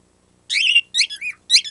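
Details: Pet bird doing its cute squeaky-toy sound; three short bursts of high, buzzy, harmonic squeaks with slurred pitch, the first longest, in a quiet room.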